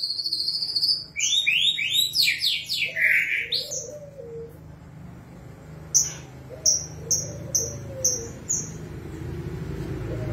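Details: White-rumped shama in lively song with cililin-style phrasing: a dense run of falling whistled notes, then after a pause a series of six sharp high notes about half a second apart, over a faint low hum.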